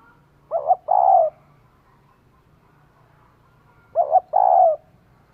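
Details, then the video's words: Spotted dove hen calling to stimulate a male: a hoot-hoot then a drawn-out coo, repeated twice with about three seconds of near silence between phrases. "Cu mái kích trống cực sung"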